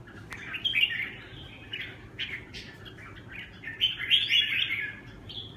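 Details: Red-whiskered bulbul song in the Huế xoè style, made of short chirpy warbled notes in irregular bursts. Louder phrases come near the start and again near the end, with softer broken twitters between them and faint low background noise.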